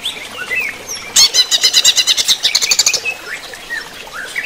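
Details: Greater green leafbird during running-water therapy, giving soft scattered chirps, then a sudden loud burst of rapid rattling high notes, then quieter chirps again.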